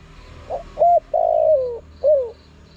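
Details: Spotted dove calling to lure and provoke wild birds: a soft short note, then low hooting coos, one long drawn-out note sliding downward and a final shorter falling coo, over faint background hiss.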